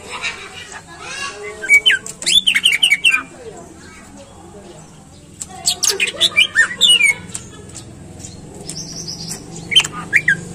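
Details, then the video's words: Greater green leafbird song, played to get caged birds to sing. Two bursts of tumbling whistles and chattering notes are separated by a quieter stretch, with later scattered notes over steady background murmur. "Pancingan Cucak Ijo Biar Rajin Bunyi Dan Gacor"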